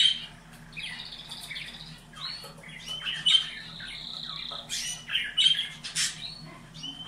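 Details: Canaries kept for breeding, song used to stimulate them; broken phrases of chirps, short trills and a sustained whistled note, with loud sharp squeaky bursts between them in a small indoor space.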